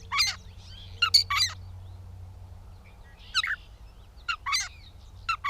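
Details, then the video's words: Gray catbird singing at Bowdoinham, Maine, 16 May 2020: a jumble of rasping, crackly notes delivered in irregular clusters of two or three, with soft squeaky fragments in the gaps and low background hum. "The many sounds of the Catbird"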